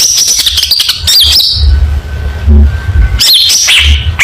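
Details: Long-tailed shrike giving loud competition song for training, rapid high chatter and a sustained buzzy whistle, then a lull before more scratchy sweeping notes, steady low hum beneath.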